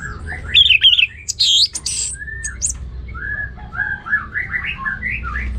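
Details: Orange-headed thrush in ngeplong gacor song, opening with high squeaky chirps and sharp notes, then a rapid run of short slurred whistles and twitters, with faint low background rumble.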